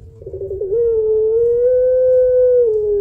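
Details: Long kuwok lure call of a puter pelung Barbary dove, used to coax other doves to sing. A brief stuttering onset gives way to one smooth, low, sustained coo lasting over two seconds, nearly level in pitch.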